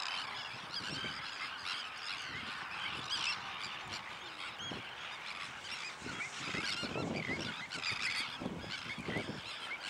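Sandwich terns give harsh, grating, overlapping calls in a steady noisy chorus, many birds calling together.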